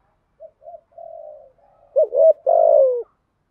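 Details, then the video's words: Spotted dove with a 'thổ' style voice giving a 'thúc gù' driving coo meant to rouse a decoy bird: soft low lead-in notes, then a sharp double note and a long, deep, falling coo, clean quiet background. "chim cu gáy giọng thổ bài bản thúc gù, chim cu gáy đất bài bản gù thúc, chim cu gáy kích bổi"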